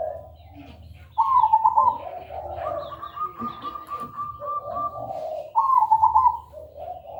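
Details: Zebra dove (perkutut) in full manggung song, used as a lure to get other perkutut singing, loud, clear and melodious: low cooing notes lead into bright trilled coo phrases near the start, middle and end, with a soft low hum beneath.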